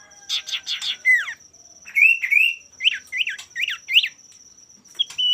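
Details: Male common iora in full song, meant to goad rival birds to sing: a burst of harsh buzzy notes, then a string of sweet upslurred and looping whistles, a steady high tone running throughout.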